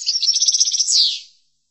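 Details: European goldfinch in chordonier song style for training goldfinches: a quick pulsing series of about a dozen tinkling high notes, then a drawn-out, slightly descending buzzy note fading away.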